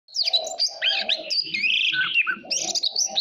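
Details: Oriental magpie-robin, a kept songbird stimulated to sing in contest, delivering a long, varied song of rich whistles, slurred rising and falling notes and chattering phrases, with a steady lower hum beneath.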